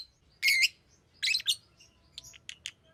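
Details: A green Fischer's lovebird gives a long squealing chirp, a pair of raspy notes, then thinner short chirps, over a low steady hum.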